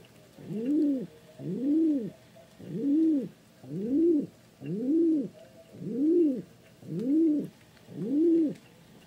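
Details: Eight low, rounded pigeon coos in an even rhythm, one roughly every second, each gently rising and falling, with a quiet background.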